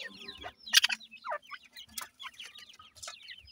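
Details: Feeding grey francolin chicks of the Sindhi type, many thin high chirps sliding downward in quick irregular succession, with a few sharp noisy clicks breaking through the chorus.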